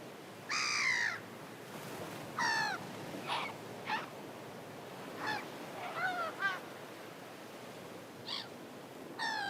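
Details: Gulls flying back home at sunset, giving harsh, nasal, harmonic cries that dip downward. Cries come in irregular bursts, some single and some doubled, over a steady hiss of background noise.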